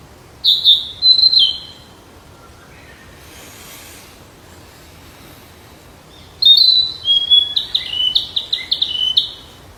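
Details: A wild flycatcher sings high, clear whistled phrases: two brief warbled bursts near the start, a long silent gap, then an extended series of quick sweet whistles and chips.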